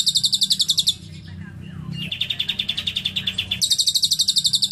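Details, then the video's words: Lovebird song with cililin fill: high rapid chirp trains broken by a short quieter gap with faint sliding notes, then a steady fast series of clear chirps that grows louder at the end. "Love bird isian cililin"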